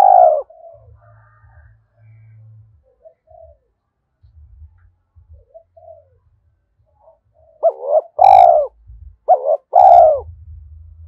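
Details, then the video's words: Decoy spotted dove cooing early in the morning to lure and provoke wild doves, thổ-style voice; after quiet low thumps, two loud cooing phrases near the end, each a short double note then a long, falling, hoarse coo. "tiếng chim cu gáy mồi gáy gọi bổi lúc sáng sớm"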